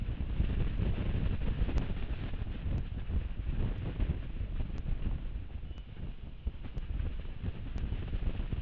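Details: Steady low wind rumble buffets the microphone, with faint evenly spaced clicks and no animal voice.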